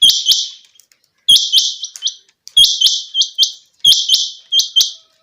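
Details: Changa quail calling loudly and rapidly, bright high upswept notes in groups of two to four with buzzy tails, the phrases following each other closely with little background noise.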